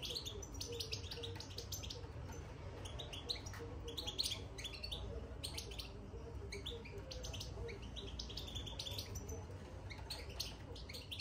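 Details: Caged European goldfinch twittering soon after entering the cage: a steady run of quick high chirps and short buzzy notes, nearly continuous over a low hum of room noise.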